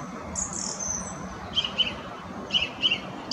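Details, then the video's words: A song thrush (Turdus philomelos) sings a thin high whistle, then sharp chirpy notes given in pairs, each phrase repeated, over a steady outdoor hiss. "Song Thrushes sing"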